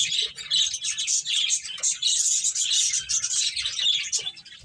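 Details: Finches chattering during play: continuous high-pitched chirps and thin whistles overlapping throughout, from several birds at once.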